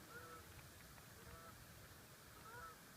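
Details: Several geese at Lake Glendale give three faint, nasal honks about a second apart, getting excited and then taking off, over a steady hiss of wind or distant water.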